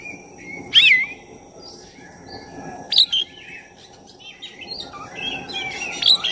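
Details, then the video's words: Oriental magpie-robin of the black-breasted form, its lively song played to excite another bird: three scattered whistled phrases with scratchy notes and quieter warbles between them, over low steady hum. "Pancingan suara kacer dada hitam gacor efektif buat menaikkan emosi Kacer"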